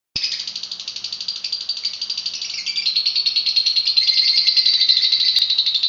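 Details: Lovebird in full, energetic song, a dense continuous buzzy chatter of rapid high notes, about three pulses per second, rising in intensity toward the end, with a sharp click near the end.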